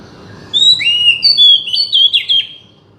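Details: Oriental magpie-robin song meant to make a silent bird sing: a clear high whistle followed by a rapid string of sliding whistled notes and short trills, about two seconds long.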